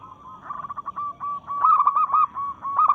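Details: Local zebra dove singing in breeding mood, challenging rivals: staccato cooing notes at one steady pitch in quick runs with brief gaps, growing louder and more rolling toward the end; low background hum.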